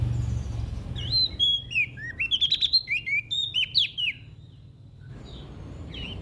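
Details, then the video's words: Olive-backed tailorbird from NTB, Indonesia, used to stimulate silent birds to sing; a quick phrase of high bending whistles and clicking chips about three seconds long, followed by near silence and a faint final note. "PRENJAK DAUN NTB GACOR buat Pancingan Burung Malas Bunyi"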